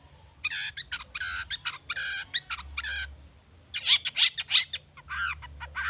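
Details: Agitated long-tailed shrike lure recording with rich filler phrases, meant to get other birds singing. Harsh rasping bursts come in rapid irregular series, with a louder scratchy cluster near the end.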